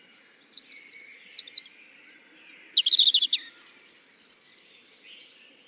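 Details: Recorded European Robin song heard at an evening nature-festival event in Tartu's botanical garden, Estonia: sparkling high phrases, quick twittering notes, long thin level whistles and fast trills alternating after short pauses, with a low hum beneath.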